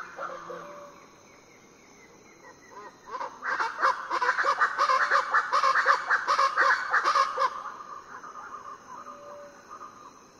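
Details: Before dawn on Foengoe Island, Suriname, variable chachalacas break into a harsh, rhythmic chorus of repeated grating notes that builds, peaks for about four seconds, then fades, with quiet insect background before and after.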